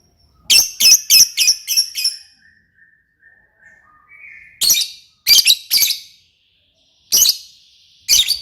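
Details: Lovebird giving quick bursts of shrill, scratchy chirps, five in a row, then short groups of two or three after pauses.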